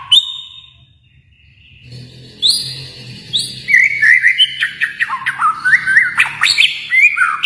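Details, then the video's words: White-rumped shama from Kalimantan: after a quiet start with low hum, high piercing whistles give way to a fast, varied run of slurred notes and sharp chips. "murai batu Kalimantan"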